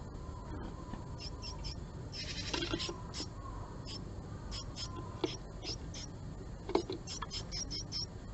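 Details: Japanese tit at a nest box holding a male, morning of 20 March 2022, as a female visits and the pair briefly fight; short high thin notes in scattered bursts, with a broader rasping burst midway and low background rumble.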